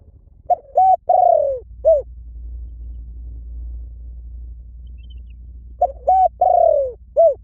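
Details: Spotted dove giving two full coo phrases about five seconds apart, each a pair of short coos, one long drawn-out falling coo and a final short downslurred note, with a quiet low hum between.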